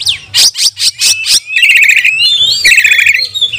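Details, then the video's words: Oriental magpie-robin singing as a provoking lure to train other magpie-robins: a run of about six loud harsh notes, then a fast rattling buzzy phrase and rich warbled whistles. "Pancingan kacer gacor nembak untuk melatih kacer"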